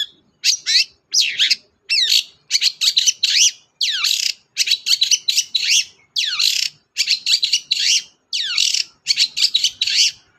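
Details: Cendet or long-tailed shrike singing hard to spur a silent bird into song: dense bursts of harsh, buzzy, descending notes in quick clusters, loud and continuous, over a clean quiet background.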